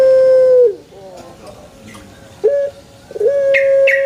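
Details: Close of a sustained Pelung chicken crow falling away, a quiet pause with a short squawk, then a fresh level crow starting over faint chirps.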